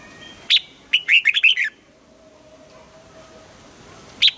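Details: Red-whiskered bulbul morning song used for voice training, in the double-note mature wild style: a sharp high note, then six quick slurred whistled notes, ending with another lone sharp note over faint hum.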